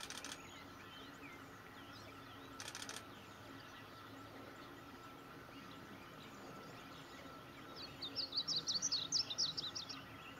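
Varied Bunting giving a brief, quick run of high, thin warbled notes near the end, over a steady background hiss with a couple of short clicks earlier.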